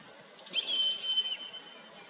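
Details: Common buzzard (Buteo buteo) gives one drawn-out, high, whistled mewing note that holds steady and then dips briefly at the end, over a faint background hiss.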